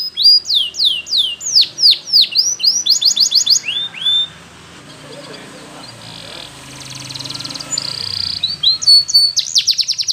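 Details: Yellow Spanish Timbrado canary training song: loud falling whistled sweeps and quick trills, interrupted by a quieter stretch of faint low murmuring before the high rapid trilling returns.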